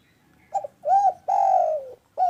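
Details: Spotted dove calling strongly, played to set quiet doves singing: a short double note, a rounded rising-falling coo, a long low coo gently falling away, and the start of another coo.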